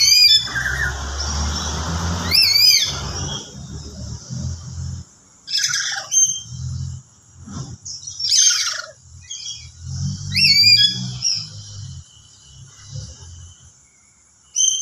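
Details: A lory gives a soft yet shrill, swirling, rising lure call in short bursts, used to set other lories calling; such calls are quickly answered by lories that hear them, live or played back.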